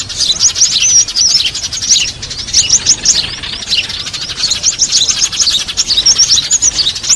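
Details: Sparrows chattering in a dense, noisy chorus of high, rapid chirps and twittering notes, almost continuous throughout, recorded 3 June 2023 as a lure call for catching small birds.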